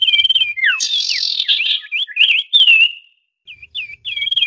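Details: Common iora calling noisily as a lure for trapping. A high trilled whistle and falling hooked notes give way to a long buzzy, scratchy chatter, a sliding whistle, brief silence, then sharp curled chirps.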